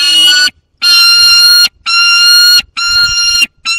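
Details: Peregrine falcon, a young bird with prey beside an adult, Dolina Baryczy, Poland, 30 August 2022. Four shrill nasal wails, each under a second, delivered roughly once a second with short pauses.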